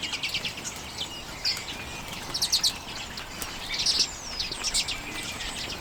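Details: Common redpolls feeding on sunflower seeds, late January 2022, Canon EOS M50 recording: sparse high chips and short twittering bursts with brief thin rising whistles, against quiet hiss.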